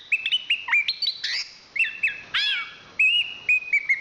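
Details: Song of a national champion Chestnut-capped thrush: sweet whistled notes at shifting pitches, a burst of harsh chattering, a downward-sweeping flourish, then evenly spaced level whistles. Delivery is clear and close.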